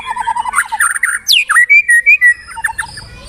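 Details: White-rumped shama singing varied phrases: quick low chirps, a sharp descending sweep, then clear whistled notes rising and falling, with fainter chirps at the end.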